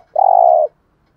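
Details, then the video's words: A single steady, low, humming coo from a spotted dove, about half a second long, in gù thúc style used to lure wild doves into calling. The coo is clean, with silence on either side. "tieng chim cu gáy bài bản gù thúc bài bản, cu gáy giọng hay mở lên bổi gáy gù mỏi cổ"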